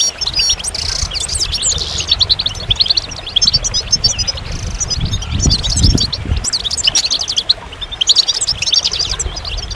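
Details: Goldfinch song: quick tinkling phrases and buzzy rattles that rise and fall in intensity, over a low rumbling background that swells midway.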